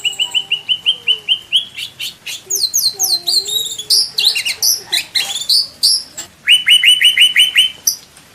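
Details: White-rumped shama from Indonesia singing a full, varied song used to train caged birds: a steady series of repeated bright notes, then tumbling downslurred whistles and dense warbling, ending in another fast run of repeated notes.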